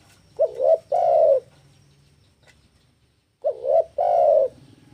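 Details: Spotted dove song used to lure and train doves: a wavering two-part coo followed by a long rich coo, the phrase repeated after a pause of about two seconds over low background hum.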